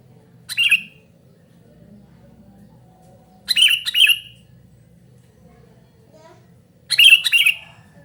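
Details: Noisy sooty-headed bulbul calls for luring and tutoring: a single harsh note, then two rasping double-note bursts, spaced about three seconds apart over a faint low hum.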